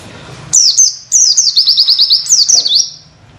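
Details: Oriental white-eye tutor song of the witwit style, used as training material for other birds: high whistled notes sliding downward, then a fast run of about six rising chirps and a final descending flourish, over faint low hum.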